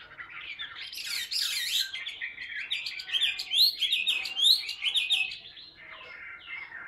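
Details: Chinese hwamei in a cage, singing while held in the hand during fighting display: loud, rapid medley of sharp whistles, chirps and squeaky slurs, with brief dips in volume, then softer notes at the end.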